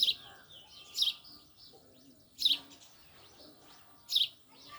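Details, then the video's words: Male house sparrow giving loud, sharp single chirps, four in under five seconds at uneven gaps, each a brief bright high note over a quiet background. "Sparrow male 🐤😍 | sparrows chirping"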